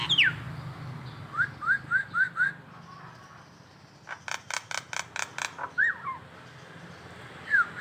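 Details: Nias hill myna in local masteran training: a falling whistle, a row of five short upslurred whistles, then a rapid burst of harsh repeated notes, and more whistles.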